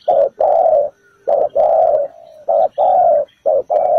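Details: Spotted dove calling as a ground decoy in a trap setup. It gives low paired coos, a short note then a long one. A softer, level tone hangs between phrases.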